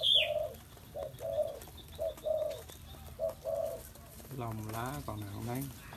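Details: Spotted dove giving a run of short, low, hollow coos in quick uneven succession over about four seconds, followed by a man's voice speaking.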